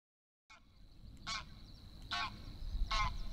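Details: Greylag geese (Anser anser) with goslings at Het Oude Loo palace, Apeldoorn, Netherlands, in May 2013: four harsh, nasal honks about 0.8 seconds apart over a steady low background rumble.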